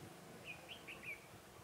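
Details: Decoy red-whiskered bulbul singing during a bulbul trapping session on 23 October 2017. Four soft, whistled slurred notes spaced evenly over half a second, with faint low rumbling in the background.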